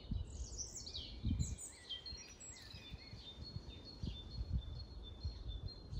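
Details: Recorded in Grunewald on 20 March 2021, long-tailed tits give clusters of thin, high chirps and short downward-sliding notes, then a steady series of repeated high tsee calls, with low knocks and rumbling underneath.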